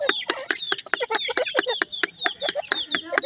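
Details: Grey francolin (teetar) chicks giving clear, high whistled peeps that drop in pitch, several each second, between loud dry clicks.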